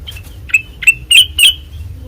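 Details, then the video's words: White-eyed kutilang emas: a short burst of four or five rising, slightly buzzy chirps, the last two longer and louder. "Suara Asli Ngeplong Kutilang Emas Mata Putih Gacor Dor"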